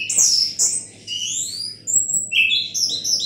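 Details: Relaxed song of an Orange-headed thrush in its "gazing at the sky" performance style: a few sharp high notes, then long thin whistles that slide upward, and a final run of quick, bright, stepped phrases. A low background hum runs throughout.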